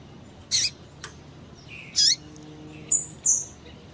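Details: Female double-collared seedeater calling to stimulate males: bright, high, clipped chirps and a couple of thin whistled notes, five calls in four seconds against a near-silent background.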